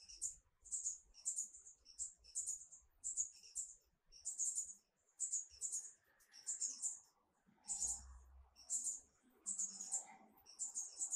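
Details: High-pitched squeaky chip clusters from a Marvelous Spatuletail hummingbird in Peru, repeated roughly every second in an uneven string, with faint background sounds and a brief low rumble midway.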